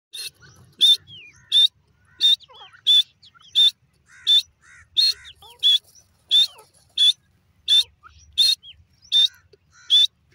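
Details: Grey francolin (teetar) calling: loud, harsh, high-pitched bursts repeated steadily, about fourteen in ten seconds, each short and ringing, with faint scattered chirps and whistles of other birds in the background.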